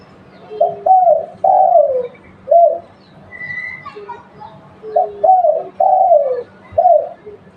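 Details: Spotted dove, a local bird used for luring, repeating its soft rolling coo: two phrases of about four notes each, the longer middle note sliding downward, with a brief thin whistle heard between phrases.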